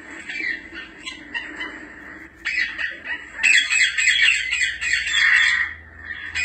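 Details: African grey parrot with fast, irregular squawking and chattering that builds into a dense, loud, raspy stretch before breaking off. Short whistled notes are mixed in.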